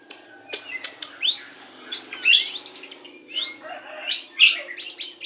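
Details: White-rumped shama of the Pastol type, song played to bring birds into breeding condition when pairing; varied whistled phrases, rising and falling sweeps with scattered sharp clicks, fairly quiet with a low hum beneath.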